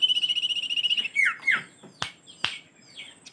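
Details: Common iora: a high rattling trill ends in two quick downward-slurred whistles, followed by a few sharp clicks and a faint high note.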